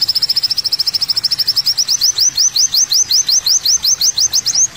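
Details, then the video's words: Olive-backed sunbird (kowul) song from a birdsong tutor track: a fast high trill that slows into distinct rising, upslurred chips, about three per second. "MASTERAN BURUNG KOWUL KOLIBRI WULUNG ‼️AWAS PLEXI GACOR ‼️"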